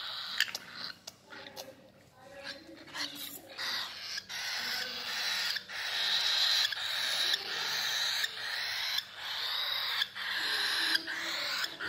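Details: Hand-fed sun conure chick begging with rapid, repeated raspy squeals about three or four per second, rising into sustained harsh wheezing bursts over steady background hiss.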